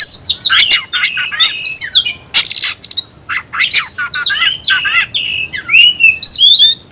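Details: Oriental magpie-robin in the 'tayoraky' style of song, a continuous, rich stream of varied whistles, slurred glides and harsh rasping bursts delivered rapidly and loudly.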